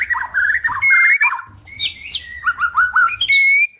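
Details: White-rumped shama in breeding condition wanting to mate, pouring out quick chattering and warbled notes mixed with clear whistled upslurs, ending on a steady rising whistle, over a low hum.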